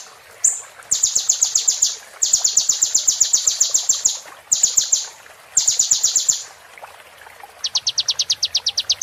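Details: Sunbird recorded for tutoring caged birds, delivering repeated bursts of very high, rapid, buzzy trilled notes separated by short pauses, ending with a slightly lower, evenly pulsed chip series.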